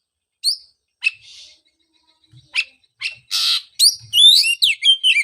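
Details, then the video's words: Oriental magpie-robin song meant to coax a post-moult bird into singing: sparse chips and a rasping hiss first, then a dense run of bright, rising and falling whistled notes at the end. "pancingan suara untuk terapi burung kacer"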